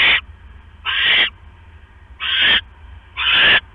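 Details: Nesting owls on 5 October 2015 near 11:21 PM, the male delivering a rat, the female eating it and returning to her eggs. Four rasping, noisy screeches, roughly one per second, each a short hissy burst over faint background hum.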